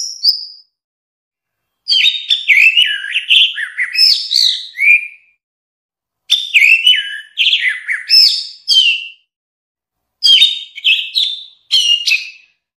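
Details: Orange-headed thrush singing, recorded as a tutor song for cage birds: three varied phrases of warbled, swooping whistles and harsh chips lasting two to three seconds, with short pauses between them and nothing else audible.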